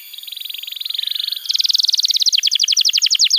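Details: Canary tutor song for young and non-singing canaries: a soft rapid trill building in loudness, switching to a higher, stronger roll and then into sharper falling notes.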